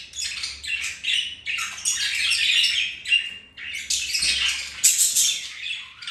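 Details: Budgerigars mating, flirting and playing; steady high scratchy warbling chatter, short chirps and squeaks run together almost without a break, with faint low knocking beneath.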